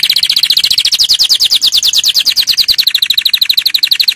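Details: Singing canary, recorded for young birds to learn from: a loud, fast series of sharp, high repeated notes, with pitch wavering gently up and down and a clicking edge throughout.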